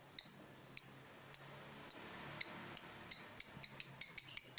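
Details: Lovebird giving its 'ngekek panjang', a long chattering trill played as a lure to make other lovebirds chatter. Sharp, high squeaky notes begin about two per second, then quicken steadily into a rapid chatter over a quiet background.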